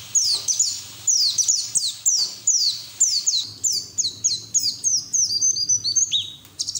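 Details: White-eye song used as training audio to get other white-eyes singing: rapid series of high, thin downslurred whistles and twittering notes, delivered in quick bursts about every half second, growing denser and more chattering toward the end, clean background.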